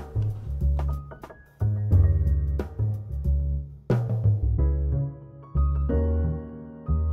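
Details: Drum-led instrumental music with deep bass notes, sustained tones and sharp percussive hits, with no animal voice heard.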